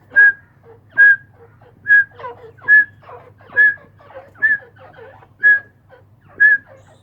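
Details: Grey francolin calling in captivity: eight bright whistled notes at an even pitch, spaced under a second apart, with softer scratchy chatter filling the gaps and a faint low hum behind.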